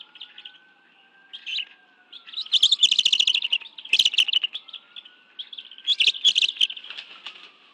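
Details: Bald eagles feeding on fish at their nest, National Arboretum, Washington, D.C., 11 June 2017 at 2:23 PM, two adults with two young; squeaky chirps build into rapid, stuttering chittered bursts, while a faint low tone glides beneath.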